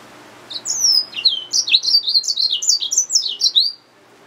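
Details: A yellow-fronted canary mule, hybrid finch, sings a brisk phrase of high, varied slurred and chirped notes, some rising and some falling, repeated rapidly for about three seconds.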